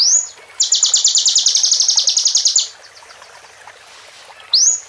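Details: Plain prinia-style song in a 'bren' pattern: a fast, even, machine-gun trill of high, sharp ticks lasting about two seconds. Brief upward-sweeping whistled notes come before and after it, over faint background noise.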